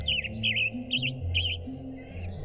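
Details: A Western Tanager sings four short, hoarse, burry phrases about half a second apart, like a "drunken robin", over low voices and a steady hum in mountain habitat at Genesee Park, Evergreen.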